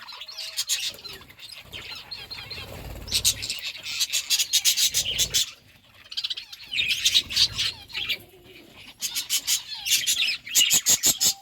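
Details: Parakeet eating fruit and chirping: bursts of shrill, chattering chirps and warbled twitters separated by quieter gaps, with low rustling and wing-flutter noises underneath.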